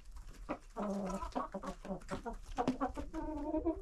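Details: Around 25 domestic chickens and roosters in a village coop clustering as a woman feeds them; continuous overlapping clucks and short harmonic squawks from several birds, rising in a busy chatter throughout.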